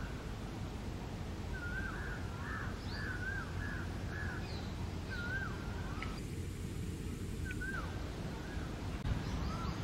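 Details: Yellow-footed green pigeon (Treron phoenicopterus) feeding on fruit in a tree gives a run of soft, fluting whistles, each note bending up and down, about twice a second, over a steady low rumble of wind.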